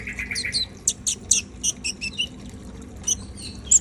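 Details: Lively song of a brown-throated sunbird, locally called konin: a brief buzzy whistled phrase opens, followed by a rapid run of sharp, high, clipped chirps with a short pause before a few final notes.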